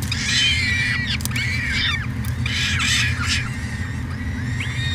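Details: Peregrine falcon at a nest-cam site in Edmonton, Canada, 2017: loud, harsh, harmonic squealing calls repeated in rapid overlapping bursts, with chevron-shaped notes rising and falling, over a steady low electrical hum.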